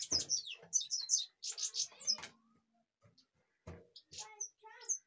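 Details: European goldfinch from Kashmir: bursts of high, tinkling twitters and chirps, then a pause broken by soft knocks before a few more bright notes.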